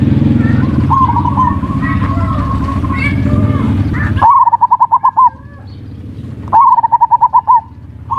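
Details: Perkutut (zebra dove) song in ngerot and kuwor style, played as a lure to arouse mating urge and lazy singers: after noisy chatter, two clear phrases of an upswept note followed by rapid pulsing coos.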